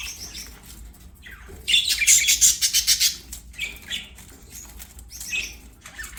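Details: Budgies playing, with a rapid run of wing flaps in the middle amid buzzy chatter and short squeaky calls before and after.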